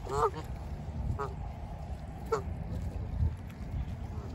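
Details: Canada geese by Lake Ontario at Humber Bay Park, Toronto, in autumn: three separate nasal honks about a second apart, each short and slightly rising, over a steady low rumble of wind and water.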